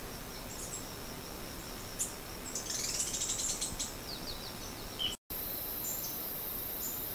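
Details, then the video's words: Serra das Lontras Treehunter (Heliobletus sp. nov.) in Bahia forest gives thin, high chips and a quick descending run of sharp notes over a steady hiss of insects. "kicauan 'Serra do Lontras' Treehunter"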